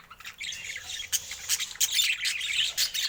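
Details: Budgies giving harsh squawks and scratchy chirps, with sharp bursts of sound interrupting a bed of steady high chatter.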